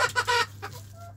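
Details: Domestic hens and roosters in their coop, playing and eating: a few short, rough clucks in quick succession, followed by a softer, thin tonal note, over a steady low hum.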